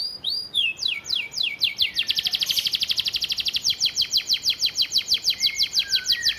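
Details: Master vocal of a canary with gereja, bren, cigun and flamboyan fill for training: opening slurred downward notes lead into a long, evenly pulsed rattling trill that slows into spaced falling strokes with soft low whistles.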